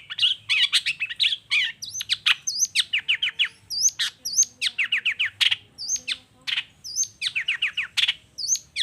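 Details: Long-tailed shrike pouring out a busy 'toet toet' lure song to trigger other shrikes: long rapid run of sharp chips, falling whistles and scratchy notes, nearly continuous, some notes repeated in quick rows.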